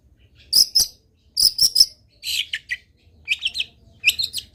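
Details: Long-tailed shrike singing a varied, filler-rich training song: quick clusters of high, clicking, ticking notes, then buzzy chattering phrases, delivered in short bursts with brief pauses.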